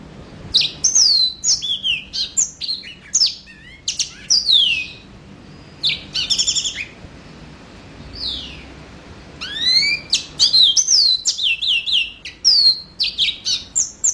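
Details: Yellow-fronted canary in energetic song, delivering bursts of bright, high whistled slurs and quick chirps separated by short pauses, with a brief rising note in the middle and a dense, fast phrase near the end.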